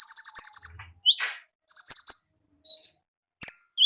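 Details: Wild konin singing 'gacor ngalas': a rapid stuttering trill of high notes, then a rasping chirp, another trill burst and short whistled phrases separated by brief pauses.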